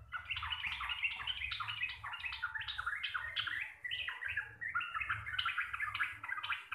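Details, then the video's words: Long rambling 'gacor receh' song of a local Javanese sooty-headed bulbul: unbroken string of quick chirpy warbles rising and falling, bright and loud, with a soft low hum behind. "TRUCUKAN GACOR RECEH DURASI PANJANG"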